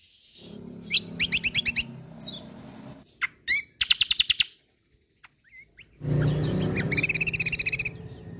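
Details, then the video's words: Vigorous song of a kecial kombok white-eye from Lombok, recorded for training songbirds. Bursts of rapid high repeated notes alternate with sharp chirps and pauses, ending in a long fast trill, with a low droning hum underneath. "Masteran Burung Kecial Kombok Lombok Gacor Full Tembakan Mewah"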